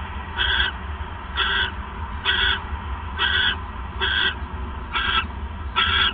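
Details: Owl at night on 28 December 2014, around 9:42 PM, as the male brings a third mouse; harsh, rasping bursts with banded overtones repeat about once a second, seven in all, over a steady low hum.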